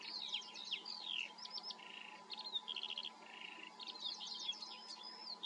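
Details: Eurasian skylark singing in the Eifel, Germany: a fast, unbroken stream of high chirps, trills and slurred whistles, with short buzzy rattles and repeated ticking notes woven through, over a faint steady hum.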